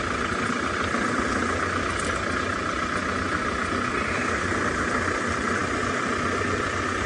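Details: An idling vehicle engine drones steadily throughout, and no animal sounds can be picked out.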